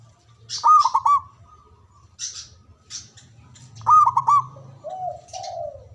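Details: Local Javanese zebra dove with a big, loud voice and long breath, its call said to draw rivals into answering: bursts of rapid stuttering coos with a clipped, rolling rhythm, two phrases about three seconds apart, ending in lower drawn-out coos; faint low hum.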